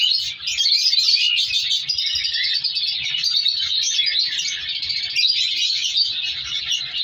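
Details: Flock of captive colour lovebirds in a breeding colony, heard as a constant shrill twittering of many overlapping voices, sharp chips standing out now and then.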